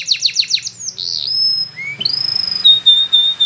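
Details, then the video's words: Spanish Timbrado canary song used for training canaries to sing: quick buzzy rolling notes repeated about four times, then long pure whistles, one rising, ending in a high steady tone. "The Best Canary Sound !! Training Canaries To Diligent In Singing"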